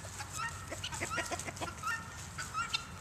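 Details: Several chickens clucking and calling, with short, repeated notes scattered irregularly across three seconds over a steady low background hum.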